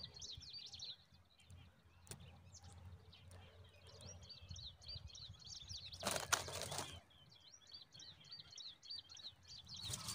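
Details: At the nest, a zitting cisticola parent feeds newborn chicks a huge mantis; quick high chirps repeat about four per second, interrupted by a loud rustling burst midway.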